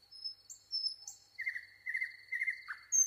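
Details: Nightingale song with thin high whistled notes, a steady high tone underneath, then several slurred mid-pitched phrases and a sharp downward note.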